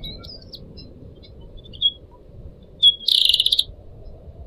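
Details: Pied Triller kept as a pet, recorded for teaching other caged birds, water trickling softly: a few faint high whistles, then a loud, fast buzzy trill near the end.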